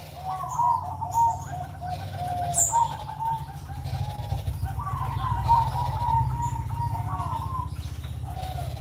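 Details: Zebra dove (perkutut) on a Sunday morning, giving repeated pulsed, rolling coo phrases at a steady pitch with short pauses, over a constant low hum and faint high chirps from other birds.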